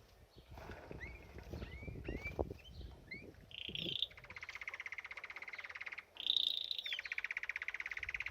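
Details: Canary at a birdbath: a few short upward-sweeping chirps, then long rapid buzzy rolls at a steady high pitch, broken by a brief higher whistled roll. Low thumps and rustling noises run underneath.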